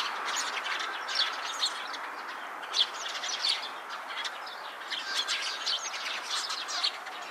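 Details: Eurasian tree sparrow, puffed up round atop a wisteria trellis and startled by pigeons taking off, gives short, bright chirps in loose bursts over steady background chatter and faint calls of other small birds.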